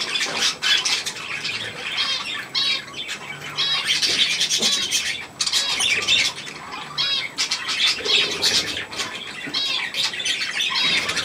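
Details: Young budgerigars with millet, recorded on 3 May 2024, chattering loudly in scratchy, warbling bursts, many birds calling at once in a constant, high, grating babble with short dips.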